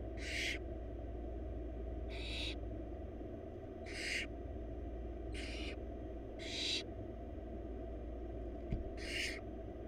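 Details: Four wild barn owl babies in a nest box begging during a rabbit feed by their mother: seven harsh hissing snores, short and spaced unevenly, plus a faint click near the end and a constant low hum.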